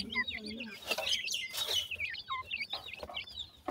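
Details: Partridge chicks peeping while feeding, a dense run of very high, thin, wavering chirps from many birds, with bursts of rustling noise and a few lower squeaks.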